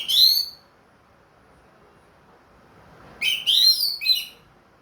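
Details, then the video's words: Caged, ringed orange-headed thrush that has finished moulting and sings diligently again. It gives a sharp falling note, then after a pause a quick cluster of shrill, twisting whistled notes. "MERANGSANG ANIS MERAH BUNYI PLONG"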